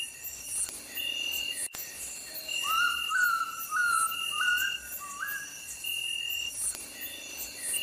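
Oriental bay owl giving about five eerie, slightly rising whistled notes in quick succession, over a steady high-pitched drone of night insects.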